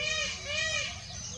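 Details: Indian peacock calling twice in quick succession, two short arched wailing notes with strong harmonics, over a background of outdoor noise and faint chirping.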